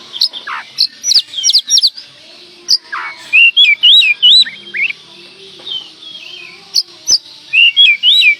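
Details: Lure recording of a lively oriental magpie-robin: rapid, varied whistled song of looping, up-and-down notes in quick bursts, with short pauses and a few harsh slurred calls.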